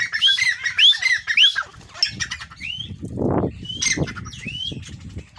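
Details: Grey francolin, one of two captive partridges, one caged and one perched on its keeper's hand, calling when the owner blows a whistle: loud rising whistled notes repeated about once a second, with wing flaps, rustling and handling noise.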